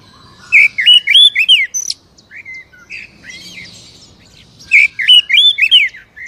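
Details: Oriental magpie-robin lure song for a captive bird: two loud bursts of rich, looping whistles and chirps about four seconds apart, with softer single whistled notes between them.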